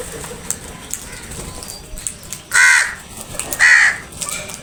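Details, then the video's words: Crows attacking food, giving two loud, hoarse caws about a second apart, each short and grating, with softer chirps and scuffling around them. "Crows Sounds | Crows attack on food"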